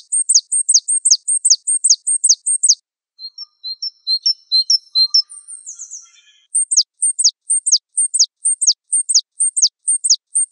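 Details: Java sparrow song: sharp, high downslurred notes repeated about three per second in steady runs, broken midway by a looser scatter of softer chirps and twitters before the rapid series resumes.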